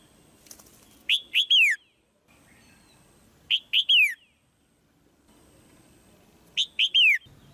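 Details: Female white-eye in a cage, calling so the male sings harder: three bright chirps per burst, the last a longer downward-slurred note, repeated about every two and a half seconds over quiet background.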